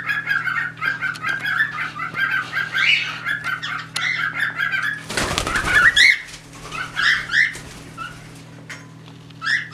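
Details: Pet cockatiels mating indoors while a third bird tries to join; rough warbling chatter, then a loud burst of wing flapping around the middle, followed by more scattered squeaky notes.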